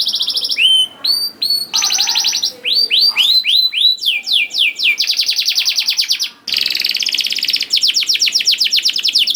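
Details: Singing canary, played to coax young canaries into song. Paired whistled notes give way to swept chirps and long, fast, even trills, with sudden cuts between segments.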